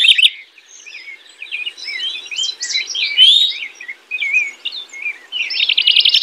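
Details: House wren singing a rich, bubbly song of quick warbled and chattering notes, with a buzzy rapid trill at the start and a fast stuttering burst at the end; quiet background.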